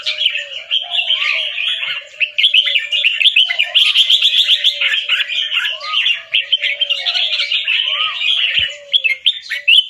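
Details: Albino Red-whiskered bulbul, all white with red eyes, caged and trained for song contests in Chonburi, Thailand. Ten seconds of steady fast warbling with rapid doubled notes, over a quieter lower whistled bird in the background.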